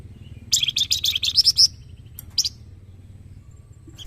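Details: Young golden-bellied gerygone master singer used for training birds. It gives a quick run of sharp, very high chirps and twittering notes for over a second, ending in clear pure whistles. A short high burst follows, then quiet.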